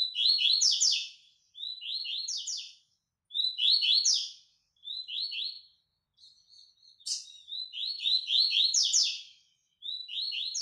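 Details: White-throated seedeater delivering training song: high, fast, buzzy trills repeated almost without pause, about seven short phrases in succession, some beginning with a clear upward note.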